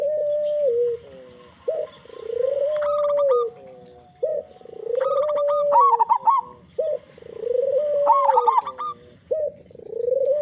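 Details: Local zebra dove with a big voice, singing actively, used as a lure to make other doves sing quickly; long, mellow, wavering coos alternate with short rolling trilled notes higher up, phrases repeating every few seconds.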